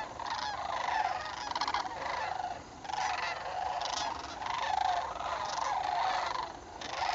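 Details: A flock of sandhill cranes gathering in northern Indiana during fall migration, October 2011: many overlapping rolling, rattling trumpet calls form a continuous chorus, swelling in bursts with brief dips between them.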